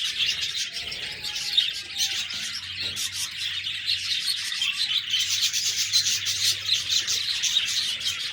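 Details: Continuous budgerigar chatter of high, rasping twitters and squeaks from many birds, growing busier in the second half, over a faint low electrical hum.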